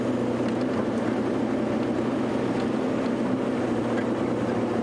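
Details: Loud, continuous motor drone with a steady low hum at sunset on a safari; no animal calls come through.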